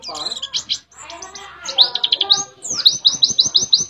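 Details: White-eye from Mount Ciremai, West Java, mimicking canary song: mixed chatter giving way to rapid, evenly spaced high chirping notes in quick runs.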